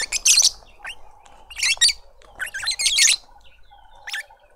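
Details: Lovebird family feeding a juvenile in a suburban garden in Pretoria, South Africa: bursts of shrill, rapid twittering chirps in four clusters with short gaps, over a faint steady background hum.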